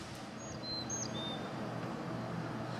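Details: Carolina Chickadee in an urban condo area of Hilton Head, South Carolina, among patches of trees and small ponds a quarter-mile from the ocean, sings four clear, high whistled notes alternating high and low, over steady traffic rumble.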